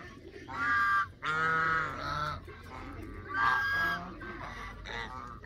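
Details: Canada geese calling with strong, drawn-out nasal honks in bursts separated by short pauses, a steady low hum underneath.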